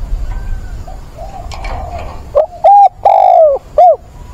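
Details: Decoy spotted dove with a mature voice calling to find a mate, 17 September. Faint distant cooing at first, then a loud close phrase of four notes with a drawn-out wavering third coo.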